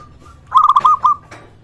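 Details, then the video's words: A local zebra dove calling steadily, a sound meant to lure other zebra doves into calling and stir rival birds: a quick burst of five or six clipped, bubbling coo notes followed by a soft trailing tone. "perkutut Lokal gacor suara ini sangat cocok untuk masteran pancingan semua jenis burung perkutut"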